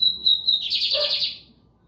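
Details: White-throated seedeater singing in São Luís, Maranhão, Brazil: a few clear high whistled notes, then a loud dense buzzy trill lasting about half a second that fades out, over a quiet background.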